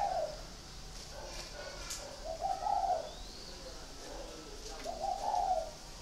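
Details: In a cage near Ba Vì, Hanoi, a spotted dove gives soft hollow coos, one phrase early and two fuller rolling phrases later, against a quiet hiss and a short high bird chirp.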